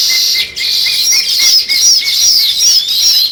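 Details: Fast, continuous sparrow chatter of sharp high chirps over a faint steady lower tone, with brief dips in the chorus.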